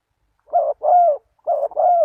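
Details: Spotted dove lure call for wild doves: four drawn-out, husky coos in two pairs, each note level and full, separated by a brief pause near the middle.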